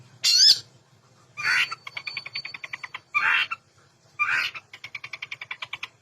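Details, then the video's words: Long-tailed shrike in full varied song, a lure for shrikes that have stopped singing: harsh rasping bursts, each followed by a rapid, even trill of pulsed notes, the pattern repeating twice. "Variasi tembakan Cendet gacor full isian Cocok untuk pancingan burung cendet macet atau malas bunyi"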